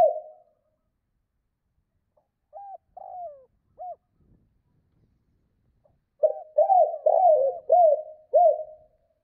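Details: Spotted dove, two-note 'cốt' call for exciting other doves: a trailing coo, three spaced soft hoots, a long silence, then a loud quick series of six rolling, arched coos.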